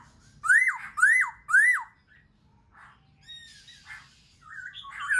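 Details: Black-throated laughingthrush, a bird kept for song training, singing three loud rising-then-falling whistled notes about half a second apart, followed by softer varied chirps, harsh buzzy notes and a final rising whistle.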